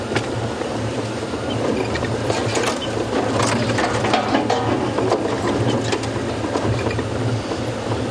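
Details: A steady rattling, ratchet-like mechanical drone, as from a running vehicle, persists throughout with no animal voices.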